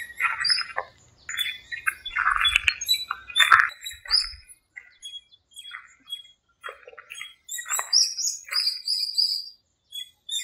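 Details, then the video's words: Wild birds in a small park at dawn during the breeding season and the rainy season, giving bright chirps and short squawky notes in quick bursts, later thinner high whistled notes spaced apart, with a low rumble at the start. "공원의 새소리"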